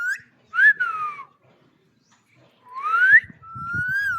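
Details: Green parrot producing whistled notes: a short upward-sliding whistle, then a long gliding tone falling away, a pause, another rising whistle and a steady held note, with faint rustling at the end.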